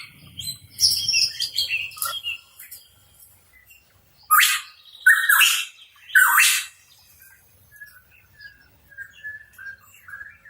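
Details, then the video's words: Hooded pitohui, or cucak rawa papua, giving softer chattering notes, then three loud harsh, buzzy rising phrases in close succession, followed by faint scattered notes. "Cucak Rawa Papua Gacor | Pitohui Bird Chirping"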